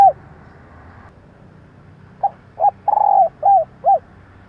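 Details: Female spotted dove calling, used to lure males and stimulate decoy birds: after quiet, a series of five low hollow coos, one drawn out and wavering, spaced under half a second apart.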